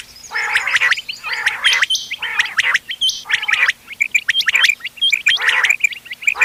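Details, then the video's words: Quail calling in a mixed recording meant for hunting, dated 31 October 2025: several grating, buzzy bursts in the first half, then a busier stretch of quick high chirps and shorter rasping notes. "بٹیروں کی مکس آواز quail bird sounds for hunting bater ki awaaz"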